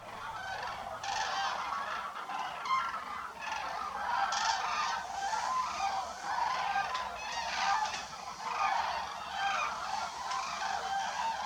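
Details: Common cranes at an autumn wintering site in France, families regrouping toward the roost as day falls: a dense chorus of loud, rolling, overlapping trumpeting calls, many birds calling at once without pause.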